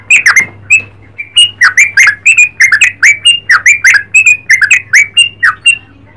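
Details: Yellow-vented bulbul singing in a lively style: a fast run of bubbly, slurred chirps around mid-high pitch, about two dozen short notes in quick, uneven succession, with a steady low hum underneath.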